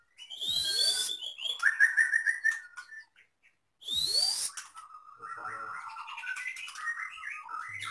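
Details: Caged Medan white-rumped shama mixing copied lovebird, canary and cililin sounds into its song: two loud rising whistled sweeps, each followed by quick fluttering notes, separated by a near-silent pause.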